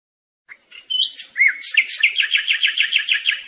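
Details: European goldfinch song, an error-free recording for young birds to learn from: scattered soft notes, a swooping whistle, then a lively regular series of quick twittering chirps repeated about three times a second.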